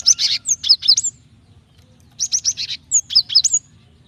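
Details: Female Java sparrow calling the male to stir him into song: dense clusters of bright, high chirps and down-slurred whistled notes in two bouts separated by a second of quiet.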